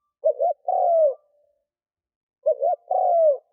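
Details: Lure spotted dove cooing to attract wild birds: two phrases of a double short note and a sustained, gently falling coo, with a quiet gap between them and a clean background.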